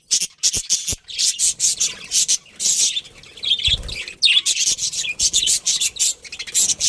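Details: A breeding pair of budgerigars in a colony produces nearly continuous, grating, high-pitched chirping chatter, with a few sharp clicks mixed in.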